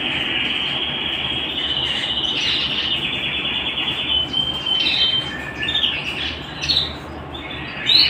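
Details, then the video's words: Canary at home delivering a sustained, loud rolling trill for about four seconds, followed by a looser series of varied chirps, whistles and warbled phrases, with low hum beneath. "canary bird - canary singing - canary sounds - canary singing at home"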